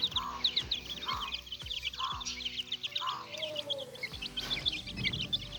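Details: Several young chicks at play, their thin high cheeps tumbling over one another, set against rhythmic background music with regular low beats and a short mid-pitched tone.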